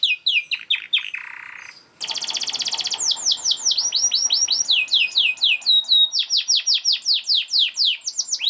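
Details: Canary master song meant for training other canaries: falling notes, a low buzzy trill, a dense pulsed trill, then a long lively run of sweeping notes.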